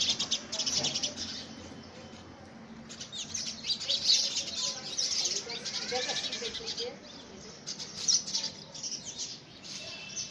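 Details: House sparrows contest ownership of a homemade nest box during the first week of February 2017. Dense, shrill chirping is heard throughout, with brief quieter lulls and faint lower sounds in the background.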